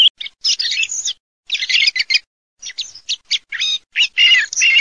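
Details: A song thrush (Turdus philomelos) sings bright, high whistled and chattering phrases, each under a second long, separated by brief pauses. The phrases vary in pattern. No other sounds are heard.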